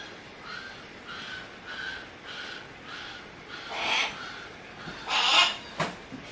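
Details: A captive Harris's hawk at Kakegawa Kachoen bird park, delighted at the arrival of a favourite staff member, gives a series of harsh, rasping calls, each under a second. They build to two loud, grating screams near the end, followed by a sharp click.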